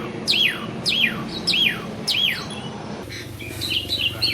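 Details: Asian pied starling singing without pause: four matching falling whistled phrases about every 0.6 seconds, then softer varied chatter.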